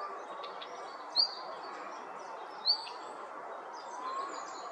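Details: Red-flanked bluetail, excited by other mountain birds flocking in, gives two thin rising whistles about one and a half seconds apart, with faint twittering of other birds and a constant hum behind.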